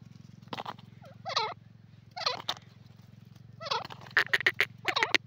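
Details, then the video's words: Grey francolin in jungle. Fainter looping calls rise over a steady low hum, ending in quick bright clipped notes. "jungli teetar voice,grey francolin in ajungle,gora awaz"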